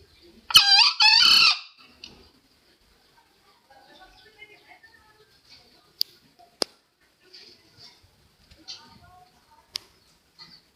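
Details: Green junglefowl crowing, used as a trapping lure: one loud, raspy two-syllable crow, a short burst then a longer hoarse note, followed by quiet clicks and faint scattered sounds.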